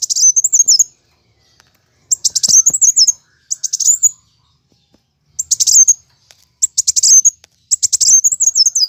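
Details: Plain sunbird in fighting song, recorded as a master lure for pet birds: very high, rapid chittering bursts with wavering trilled endings, six bursts separated by brief silences.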